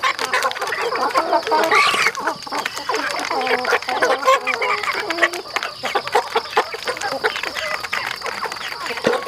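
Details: Flock of rural chickens on a home farm, continuous clucking and chattering from many birds, one louder rising squawk near the start, calls overlapping throughout over a steady high-pitched background hum.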